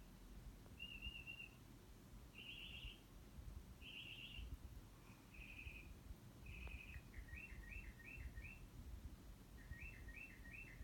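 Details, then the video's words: A bird calling outside a window, cycling through many different noises: short high trills and buzzy chirps, then quick paired rising notes repeated in a run, all fairly faint over steady low background rumble. "Bird making all the bird noises"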